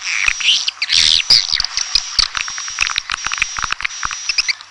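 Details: Red-nest swiftlet (walet sarang merah) calling sound: shrill high twitters and chirps over a constant thin high tone, broken by irregular sharp clicks.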